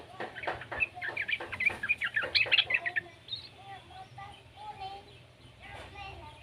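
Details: Young yellow-vented bulbul heard as a lure for other bulbuls to sing: three seconds of quick, lively chattering notes, then softer, lower drawn-out calls in the background.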